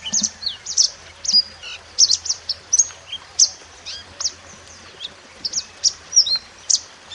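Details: Mountain white-eye recorded in nature as a master song for training cage birds: sharp, very high chirps and short slurred notes in quick irregular bursts, separated by brief pauses, with a faint low hum.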